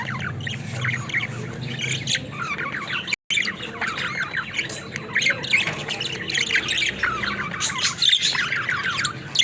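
Several budgerigars chatter at once in a steady, dense stream of high chirps, squawks and scratchy warbles, with no clear words.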